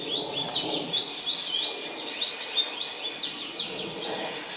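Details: Grey-breasted parakeets mating, recorded in the wild; rapid, repeated high chirping calls, about three a second, sharp and slightly buzzy notes overlapping as several birds call at once.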